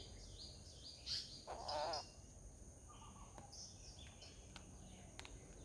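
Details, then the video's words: Hornbill in a garden gives a short, loud, nasal honking burst of about half a second, among faint high chirps from smaller birds and steady background hiss. "Hornbill Birds, Hornbill Sound"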